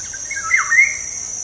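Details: Black-naped oriole, recording played to encourage caged orioles to sing: a single smooth fluty phrase that drops and rises to a clear high end note, with steady insect stridulation throughout.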